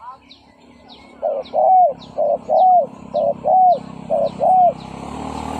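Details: Spotted dove used as a decoy, cooing to lure and provoke fighting males. Paired phrases of a short note and a longer falling coo repeat about once per second over a steady low hum, with high chirps from other birds.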